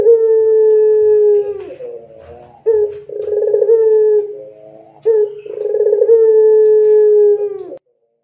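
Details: Barbary dove singing hard and loudly, used to prompt other doves to reply. Three long, smooth, low coos, each ending in a falling slur, are linked by short bubbling rolls. A constant high whine sits behind.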